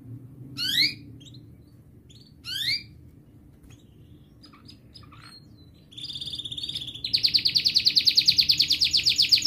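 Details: Canary song meant to stimulate young canaries to learn singing: two short isolated falling chirps with quiet gaps, then a bright buzzy trill that builds into loud, fast, rattling repeated notes.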